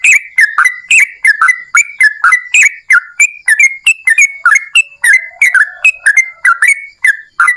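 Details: Yellow-vented bulbul in a long vigorous song bout, used as a lure for other bulbuls: a continuous stream of bubbly, sharply attacked whistles rising and falling in pitch, nearly three notes per second.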